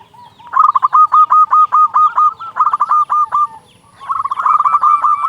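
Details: Loud, actively singing local zebra dove, used as a lure to make other doves sing: rapid bursts of short, husky cooing notes at steady mid pitch, a long run, a brief pause, another run, then a third after silence.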